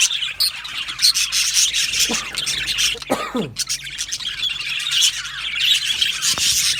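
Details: Budgie colony in an aviary, constant high twittering and squawky chirps from numerous birds, with a few louder downward-sliding whistled notes standing out near the middle.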